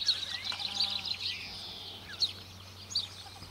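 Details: Australasian crested grebe family with two 16-day-old chicks at Lake Benmore, Mackenzie Country, New Zealand, as parents feed them fish: thin high peeping, a quick cluster then two isolated squeaks, over background hiss and low hum.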